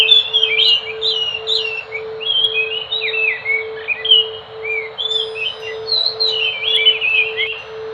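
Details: Enggano thrush (Geokichla leucolaema), found on Enggano island off Sumatra, pouring out varied sweet whistles with quick downward slurs and chirps in near-continuous phrases, a steady background hum audible throughout.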